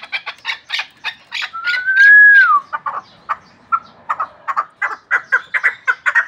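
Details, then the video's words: Pamir chukar partridge for hunting, uttering rapid harsh chuck notes around a smooth, slightly rising whistle, then continuing with quickening clucks. "Кабки Помир шикори"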